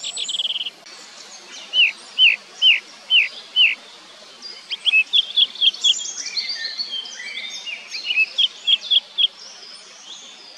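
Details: Song thrush singing: a set of four identical clear whistled notes repeated about twice a second, then a quick run of five sharp repeated notes, followed by further short phrases each given several times, over faint steady background noise.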